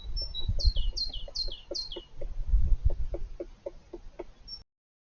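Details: Dull, low thumps and sharp taps come at an irregular rate, about three a second, as a male European green woodpecker excavates his nest inside an old apple tree trunk. Other birds give brief, high, descending chirps, and the sound then cuts to silence.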